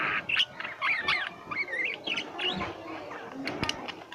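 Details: Pet lovebirds chattering: wavering, squeaky chirps and short warbled notes, some upslurred, over a soft background hiss.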